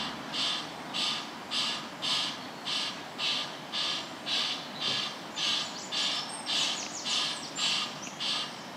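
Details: Mallard drake and ducks on a pond: a steady run of harsh, raspy quacks, roughly two each second, over a faint hiss of background noise.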